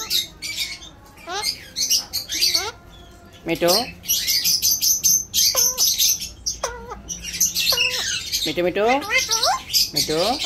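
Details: Alexandrine parakeet, a pet bird talking like a human, produces a rapid string of word-like syllables with swooping falling tones, interspersed with gritty high squawks and chirps over about ten seconds.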